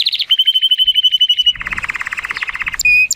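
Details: An 83-point male Timbrado Español canary born 2018 sings on a sunny day: a short trill, a long level whistle, then a lower stuttering roll of quick beats and a sharp high note at the end.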